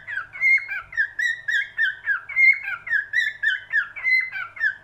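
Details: A cockatiel sings loud, clean whistled phrases, short swooping notes strung together with steady beats and occasional higher sharp accents, in a quiet room.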